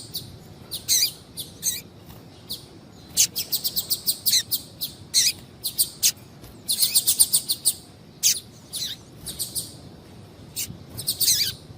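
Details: Steady stream of short, sharp, high chirps from a female double-collared seedeater calling to stimulate a male, sometimes bunched into fast rattling runs, sometimes spaced singly, over quiet hiss.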